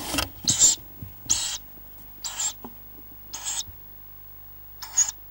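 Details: Tawny owl chicks, five young in a nest, growing fast: a series of six harsh, breathy hissing bursts, each about a third of a second long, at irregular intervals of roughly one second.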